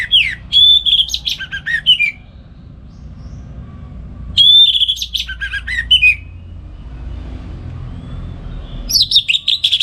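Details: Orange-headed thrush singing in the morning to tutor other songbirds: two long complex phrases of wavering whistles, rapid trills and falling notes about four seconds apart, with another phrase beginning at the end.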